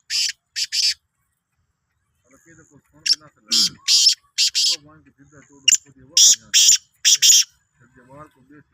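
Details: Calls of a Sindhi black francolin: rasping, grating notes grouped in short phrases, with men talking quietly in the background throughout.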